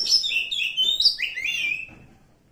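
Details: Forest-dwelling wild Oriental magpie-robin producing a fast, slightly harsh string of chirps and downslurred whistles that fade out after two seconds.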